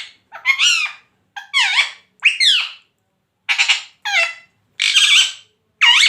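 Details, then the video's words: Pet parrot producing a run of seven raspy, speech-like squawks, some with wavering downward slides, delivered in irregular bursts with short quiet gaps and one longer pause midway. "Bolne wala tota"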